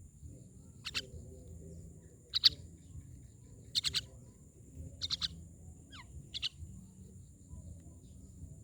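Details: Myna giving harsh, broadband, rasping call notes, single or in quick pairs, spaced irregularly about every one to two seconds, with one short down-slurred whistle; steady low background hum.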